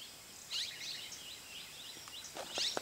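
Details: At Jungle Retreat Resort, Masinagudi, in Mudumalai Tiger Reserve, a common iora gives a quick series of thin, high chirps and twittering notes over steady background hiss, with a few soft clicks near the end.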